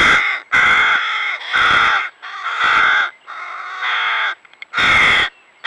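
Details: Hooded crow fledglings, already independent but still begging for food, on the Neman riverbank in Lithuania: harsh, drawn-out nasal begging caws, about one per second, some overlapping, with brief pauses between.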